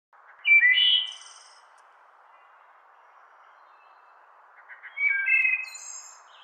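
Two wood thrush phrases about four seconds apart, each of clear fluted notes ending in a high, shimmering trill, over a steady low hum of background noise.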